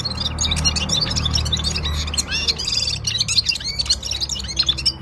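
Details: Himalayan Gulsar from Parachinar singing at full power, a rapid string of high chirps and trills over a loud, steady low rumble.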